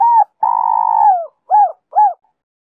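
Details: Spotted dove song in the 'Giọng Kim 2 hậu' style, played to lure wild doves. A short coo is followed by a long, slightly falling, purring roll, then two short rounded hoots. The background is silent.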